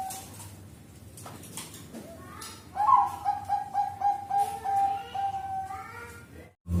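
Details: Bangkok-type zebra dove lure song: after a quiet noisy start, a rising coo opens a rapid series of soft, bubbling notes lasting about three seconds, then fades, with scattered knocks and faint lower tones.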